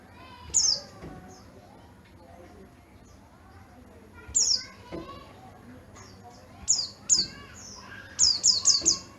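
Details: Yellow-breasted Oriental white-eye from Garut, Java, kept bird praised for a crystal-clear, loud voice; short high, sharp descending whistled phrases in bursts, a quick run of four near the end, faint voices in the background.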